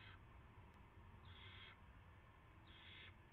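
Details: Owl at a nest on March 9, 2016, around 5:20 in the morning, when a rat is brought as prey. Three harsh, breathy hissing bursts, each about half a second long, come roughly every 1.3 seconds over a low steady hum.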